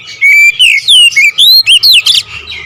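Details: Brief nembak ngerol phrase from an oriental magpie-robin: a clear rising whistle, then a rapid chain of looping, bright whistled slurs ending in a buzzy note.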